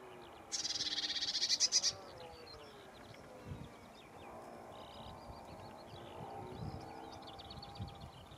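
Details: Lesser whitethroat giving a loud dry rattle of about a dozen fast pulses on one note, about 1.5 seconds long, then quieter chirps and warbles from other birds with a low hum.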